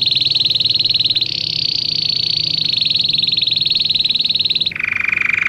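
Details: Belgian canary singing for canaries in training: a long, high, rapidly pulsed trill with a slight step upward, ending with a sudden drop to a lower, fuller roll.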